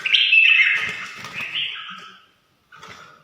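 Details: Red-whiskered bulbul sings a single loud, warbled whistled phrase that slowly fades, followed by a brief quieter note.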